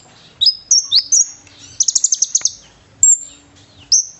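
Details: Konin bird in full song mixed with cililin-style phrases, used as a training recording for fighter birds: piercing upslurred whistles, then a rapid burst of six or seven shrill chips and long high drawn whistles, with quiet low hum behind.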